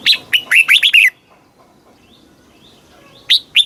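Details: Red-whiskered bulbul, Thailand, southern master-style song played for caged birds and to teach chicks: one rapid phrase of six sharp whistled notes ending low, a long pause, then two notes of the next phrase.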